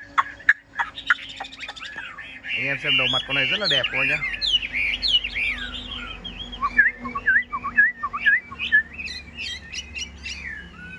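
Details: Caged yellow-billed Chinese hwamei, newly acquired and not yet singing fully, recorded while it rains. Varied whistled phrases and quick slurred notes, with a burst of rapid rattling notes near the middle and high chips toward the end.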